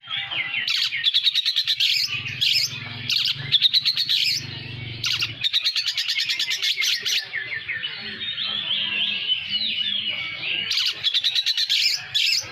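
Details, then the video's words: Oriental magpie-robin of the poci type from Pekalongan, its song filled with lovebird imitations: a rapid, dense stream of high chirps, trills and buzzy twitters with brief pauses, and a faint low hum underneath. "BURUNG KACER POCI ISIAN LOVEBIRD"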